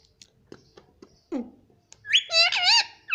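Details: Indian ringneck parrot kept as a pet, soft clicks and a low squeak, then a burst of wavering harmonic syllables in quick succession, as if saying "mummy".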